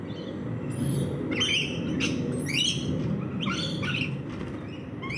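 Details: Several rainbow lorikeet parrots feeding in a backyard give sharp, harsh screeches and rising chirps in irregular bursts, roughly two a second, with a constant low hum underneath.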